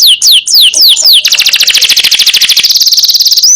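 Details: Yellow canary, singing strongly for tutoring other songbirds: four loud downslurred whistles, then an unbroken, very rapid trill that holds steady before a closing upward note.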